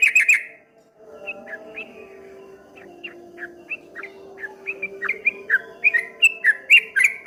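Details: Ropel ngombak banyu song of the streak-eared bulbul: a loud opening burst, then soft, scattered chirps that gradually swell back into a fast, rolling run of whistled notes.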